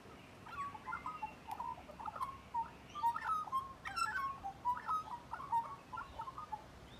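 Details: Magpie heard up close, pouring out a steady stream of clear, flute-like whistles and gurgling warbles in quick, irregular phrases.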